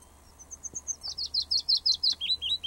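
A willow warbler sings a sweet phrase of high notes that start soft, swell, and slide steadily down the scale, ending in lower notes. A faint low hum sits beneath.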